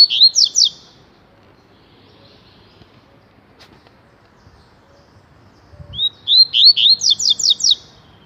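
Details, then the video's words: Double-collared seedeater (papa-capim) singing the tui tui style: a short opening of three ringing slurred notes, a long pause, then a fast run of about ten bright, repeated, down-slurred whistles. "COLEIRO TUI TUI"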